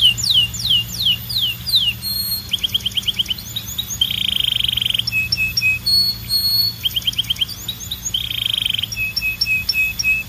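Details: Varied canary song that switches between tours: fast downslurred notes, clipped rapid trills, two long buzzy rolls and short flat whistled notes repeated in quick runs.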